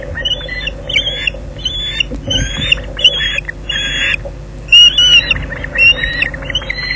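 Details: Osprey nest at Loch Garten during a fish delivery, 19 June 2011 at 17:27; harsher, drawn-out squawking notes at irregular intervals, some rising and falling, with brief rustling and a constant low hum beneath.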